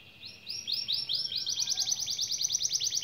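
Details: Canary singing to spur idle canaries into song: rising whistled swoops that speed up into a steady rapid trill of repeated high notes.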